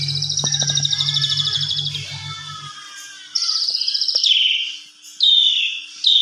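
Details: Asian pied starling in a lure meant to make other starlings sing agitatedly: extended buzzy trilling, then a pause and sharp falling squeals, a low droning hum under the first half.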